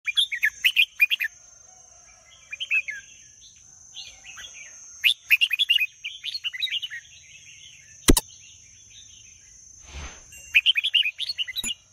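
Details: Red-whiskered bulbul song: bursts of bright, bubbly warbled phrases in short runs with pauses between, a steady high hiss throughout and one sharp click partway through.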